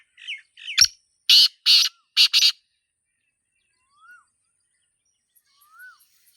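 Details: Harsh rasping call of a wild black francolin (Sindhi teetar) in nature. Two softer lead-in notes and a sharp click come first, then four grating bursts, the final two run close together. Faint whistled notes from other birds follow.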